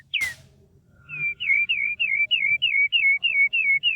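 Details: Bird singing: a sharp downslurred note, then a steady series of about eleven clear whistled downslurred notes repeated roughly every quarter second, quiet background.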